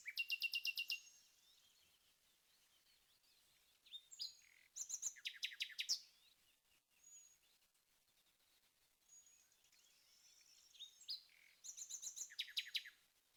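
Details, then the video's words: A strange bird noise confirmed as a Common Nightingale (Luscinia megarrhynchos) singing: loud bursts of rapid, hard repeated notes about a second long, separated by pauses, with thin high whistles drifting between phrases. "strange bird noise - Confirmed as a Nightingale"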